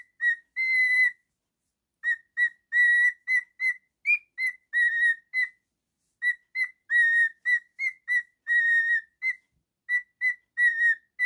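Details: Male cockatiel kept as a pet, whistling and singing in a steady run of short whistled notes mixed with held tones, all rich in overtones, continuing almost without break against silence.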